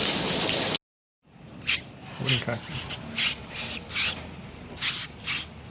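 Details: Hand-raised Sayaca tanager chick calling: after a short silence, harsh, buzzy high notes repeat at a quick, uneven pace of about two to three per second, with faint low background noise.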